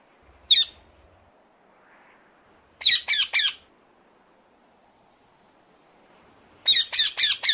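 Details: Ring-necked parakeet calling: harsh, screechy squawks, a single one first, then a quick burst of three and a final run of four, separated by quiet gaps.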